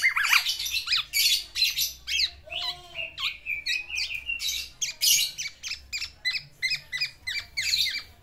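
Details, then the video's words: Black-naped oriole in a cage courting a female, pouring out its fill-in song: loud scratchy squawks mixed with brief whistles and a low slurred note, then steady pulses of harsh chattering notes. "BURUNG KEPODANG GACOR MENGELUARKAN ISIANNYA UNTUK MERAYU BETINA"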